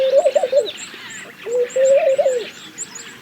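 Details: Laughing dove giving two soft, bubbly cooing phrases, each a quick run of rising and falling low notes lasting under a second, with thin high chirps of other small birds in the background.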